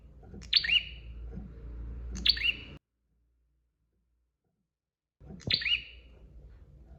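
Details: Bar-winged prinia singing energetically on a master recording for training birds: sharp high chirped phrases sliding downward, three bursts spaced about two seconds apart with a quiet pause, over a low background hum.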